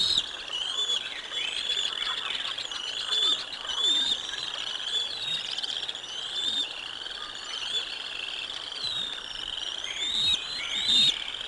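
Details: Decorah North bald eagle nest, 05 06 2022, eaglets getting lunch; over eleven seconds of nearly unbroken high, thin chirps, pulsing irregularly, with occasional soft low whooshes beneath.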